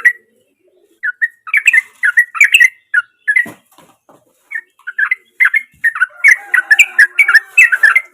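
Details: Chatty sooty-headed bulbul singing in its natural voice, kept as a lure to prompt mute birds: short bubbly whistled notes in bursts with brief gaps, and faint sustained tones late in the passage.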